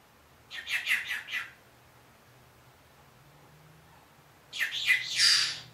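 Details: One-year-old pet Senegal parrot talking, saying phrases such as "Good Morning, I'll be back": a quick run of four clipped, chattering syllables, a pause of about three seconds, then a louder, squawkier spoken phrase, quiet room behind.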